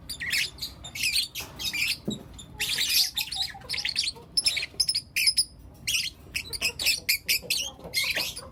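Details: Four young lutino lovebirds chirping in the morning, a fast stream of sharp, scratchy high chirps and squawks in rhythmic bursts, almost continuous over nine seconds.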